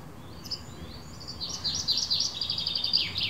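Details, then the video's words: A common chaffinch sings a quick cascade of bright, high notes that speeds up and ends in a short downward flourish, and a crow answers. Recorded by phone from a terrace on 18 May 2017 at 6 pm, over a low, steady rumble. "Peippo laulaa, varis vastaa."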